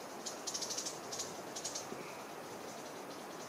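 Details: Long-billed starthroat in Boquete, Panama, singing in December/January: a quick run of thin, very high squeaky notes, then a few isolated high chips, with a faint lower whistle partway through and constant background hiss.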